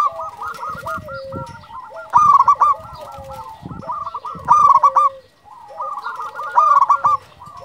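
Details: Lively local zebra dove giving continuous cooing phrases. Soft repeated notes build into three loud clusters of fast trilled coos, about every two and a half seconds.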